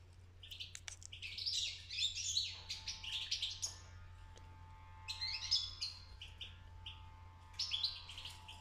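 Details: A fledgling European goldfinch starting to sing, giving quiet, jumbled twitters and buzzy trills in a few spaced bursts, with a constant low electrical hum beneath.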